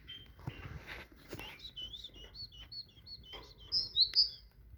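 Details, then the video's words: Tit song beginning quietly amid clicks and shuffling, then a run of short repeated whistled notes building to a few loud, high, clear whistles near the end. "تغريد طائر الحداد(القرقف) مبدع تبارك اللهchant de oiseaux messange"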